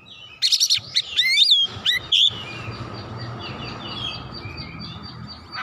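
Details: Agitated oriental magpie-robin unloading its repertoire: a quick run of crisp chattering notes and swooping whistles lasting about two seconds, then soft faint twittering over a low background hum.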